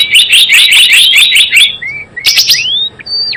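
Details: Java sparrow lure call for trapping: a quick string of bright, high chirps, then isolated rising whistles and a long, thin whistle that drops sharply at the close.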